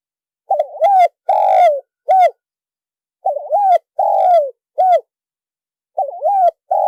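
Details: Spotted dove giving a lure call: low, mellow coos in grouped phrases, a short double note followed by longer drawn-out coos, the phrases separated by silent gaps, with no other sounds.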